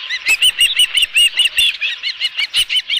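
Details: At the Dunrovin Ranch nest on 11 July 2018, an osprey with a live fish gives a fast, regular run of high whistled chirps, about three per second, mixed with occasional wing flaps.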